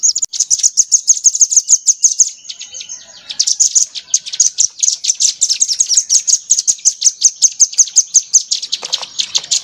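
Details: Crimson sunbird song used as a tutor recording for training songbirds, rambatan-style material: dense, very high, rapid chattering trill of sharp repeated notes, a brief break near three seconds, then an equally fast, buzzy run of notes continuing to the end.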